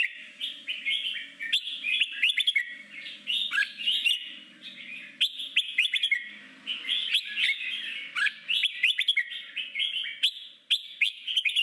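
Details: Red-whiskered bulbul singing in forest style, used daily to train wild-caught birds: a long continuous stream of bright warbles, chirps and slurred whistles with barely any pause.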